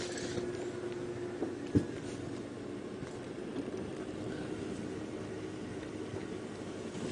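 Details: Low droning engine hum from a safari vehicle on a sunrise drive, with a single sharp knock and no animal voices.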